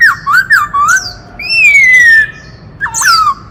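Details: White-cheeked laughingthrush, a forest bird, singing in kích trống style, meant to rouse males, with many voices: loud clear whistles, short rising-falling notes, then a long sliding whistle and a dipping, squawky note, in a quiet room.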